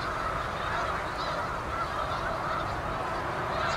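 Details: Many Canada geese honking together in fall at South Utica Reservoir, New York, November; a steady wash of nasal honks from a large flock, no single bird standing out.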